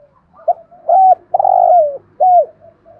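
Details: Decoy spotted dove luring other birds, heard close up: a soft short note, an arched coo, then a long coo that slides downward at its end, followed by one more falling coo.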